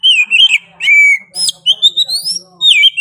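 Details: Oriental magpie-robin singing in lively nonstop 'gacor' style: loud whistled phrases with sliding notes and rising sweeps, broken by short pauses, with faint low murmurs underneath.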